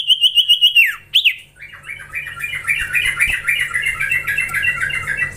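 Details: Young common iora being trained gives a fast series of evenly repeated whistled notes, a sharp descending slur, then a long run of harsh, chattering twitters that fill the rest of the recording.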